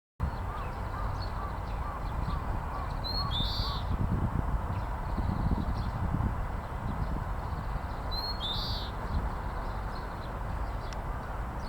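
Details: Oriental greenfinch singing: two short phrases about five seconds apart. Each is a thin high note followed by a buzzy, drawn-out nasal trill. Steady low rumbling background noise throughout, with faint lower calls.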